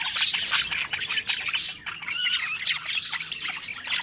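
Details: Budgerigars chattering cheerfully as they eat, a busy blend of rapid chirps, short whistles and scratchy warbles from several birds, with a brief clear whistled trill near the middle.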